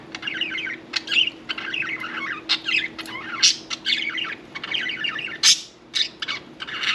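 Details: Continuous budgerigar warble from pets around a bath, a busy stream of twittering, wavering notes with occasional sharper squeaks and clicks scattered through, over faint indoor hum.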